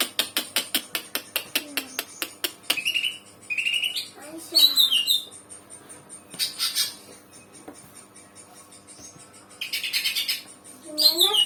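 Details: Young kacika-type Greater Green Leafbird (cucak ijo) just starting to sing: a run of rapid sharp clicks, then short high whistled slurs and scratchy chattering phrases with pauses, indoors.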